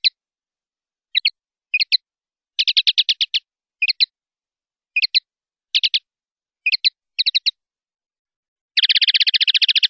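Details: Common linnet 'limpio' (clean) song from a silvestrismo training CD, 2019/2020: short twittering, chattering phrases separated by brief pauses, including fast buzzy trilled bursts, ending in a long rapid rattling trill; no other sounds.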